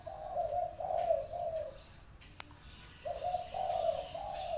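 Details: Spotted dove singing as a decoy at a trap enclosure: two mellow cooing phrases, each a run of three smooth low notes, separated by a brief pause with a faint click.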